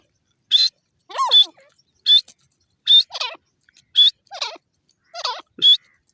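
A francolin repeats a loud two-part phrase: a sharp, high note followed by a lower, wavering, harsh note, about once a second.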